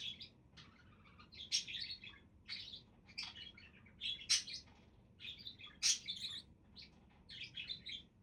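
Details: Chattering budgerigars: irregular bursts of scratchy, buzzy chirps and shrill squeaks, some notes sharply louder, with a low background hum throughout.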